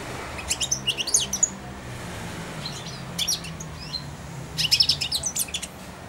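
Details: Young hand-tame European goldfinch in a cage, four months old, sings subsong while coming to feed from the hand; clipped, high twittering phrases in three bursts with quiet stretches between.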